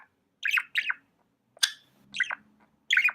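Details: Pet budgie calling with loud, sharply falling chirps spaced about half a second to a second apart, one high click-like note between, over a faint low hum.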